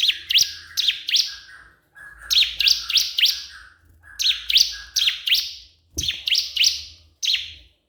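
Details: Crystal prinia calling a rival: sharp, high chirps in quick bursts of two to four, each note a steep frequency sweep with a buzzy tail, repeated about three times a second with short pauses between bursts.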